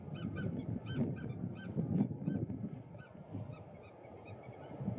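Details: Competing Eurasian oystercatchers scream in a group dance for a partner, with an older bird biting and chasing off a younger one. Short, sharp repeated calls come in bursts over low rumbling noise.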